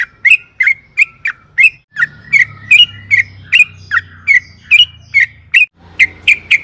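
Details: Lure recording of a sooty-headed bulbul in energetic long-trill style: loud clipped chirps, some dipping then rising, repeated roughly two to three per second, with a soft low hum behind.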